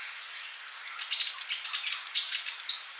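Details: Gacor kolibri sunbird: thin high sustained notes at the start, then a busy jumble of rapid twitters and sharp piercing chirps.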